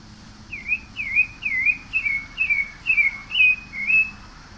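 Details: Pale-breasted thrush singing a run of about nine short whistled notes near two kilohertz, each slurring down then up, spaced roughly half a second apart, over a faint steady electrical hum.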